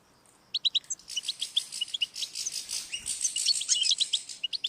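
European goldfinch song: a fast, tinkling stream of bright, high twittering notes that run together in a lively, liquid jumble, with no other sounds.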